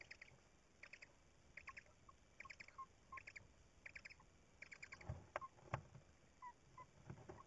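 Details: Tawny owl at its nest, recorded 1 April 2019: short, stacked, slightly buzzy notes in tight bursts of three or four, repeated about every three-quarters of a second, with scattered soft tonal peeps, rustling and knocks in the nest.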